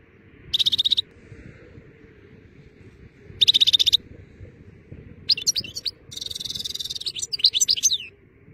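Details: European goldfinch singing in fine weather: three bursts of high, liquid twittering with buzzy, trilled notes, the last a longer tumbling phrase, separated by short pauses over a low steady background hum.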